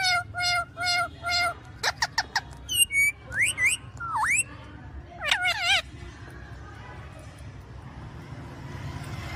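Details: Ringneck parrot heard in a short clip: three evenly spaced harmonic, nasal calls, then a run of sharp clicks and swooping, bent whistles rising and falling, ending in quieter background hum.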